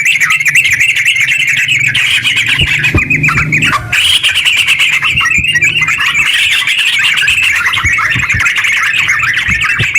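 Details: Yellow-vented bulbul song, long and rapid, used as a lure for other bulbuls. Continuous tumbling chatter of quick notes, a short gap near four seconds, otherwise unbroken, over a faint low rumble.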